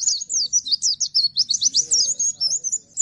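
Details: Bustomi responding to another bird with a fast, unbroken stream of thin, high twittering notes, each slurred up or down, pulsing several times per second; soft low background rumble.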